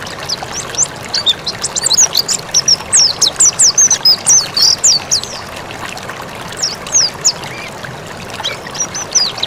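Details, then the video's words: Mountain white-eye singing vigorously, recorded for training birds. After a few scattered high notes, a dense burst of rapid, thin slurred chirps runs about four per second, then fades to sparse notes over steady hiss. "Masteran pleci MONTANUS gacor"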